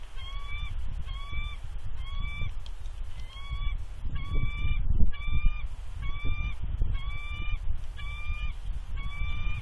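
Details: Warning calls from a nesting female bald eagle at Big Bear, 3.2.20, incubating eggs while an intruding adult eagle sits on a nearby perch: a long, even series of about a dozen sharp whistled notes, each briefly rising, over low wind noise.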